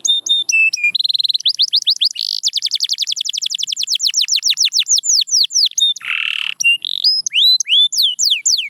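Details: Canary song aimed at bringing quiet canaries back to singing: varied whistled phrases, long runs of rapid repeated notes, a harsh buzzy burst, then loud downward-sweeping notes.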